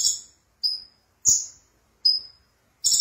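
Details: Konin sunbird giving separate sharp, high whistled notes roughly every 0.7 seconds, some slurred downward, ending on the start of a buzzy trill; a vigorous gacor song.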